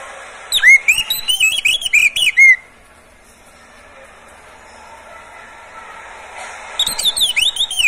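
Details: Oriental magpie-robin in a cage, singing to prompt other birds: a lively phrase of looping, rising and falling whistles lasting two seconds, silence, then another rapid whistled phrase.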